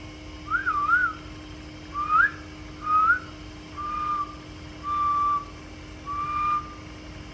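A cockatiel gives a series of clear whistled notes, the first wavering and rising, the later ones steady.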